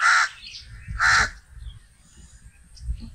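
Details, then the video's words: Crow giving two loud, harsh, hoarse caws about a second apart, followed by quiet background with faint low rumble. "crow sound || crow ki awaz || कौआ ध्वनि || કાગડાનો અવાજ"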